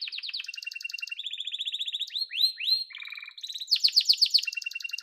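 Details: Yellow canary song with fast rolling trills, a series of rising whistled upslurs, a lower buzzy trill and a loud vibrant final trill.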